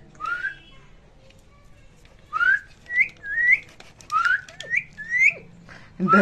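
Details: Pet Indian ringneck parakeets chattering to each other in Hindi: a run of short, rising whistled syllables, about seven notes in a quick irregular series after a pause, ending with a brief human voice.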